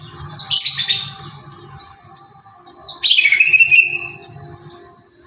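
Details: Greater green leafbird, a kept songbird, singing in a spirited style used to provoke other pet birds: sharp descending whistled sweeps and a long falling slur, in bursts with pauses, over a low hum.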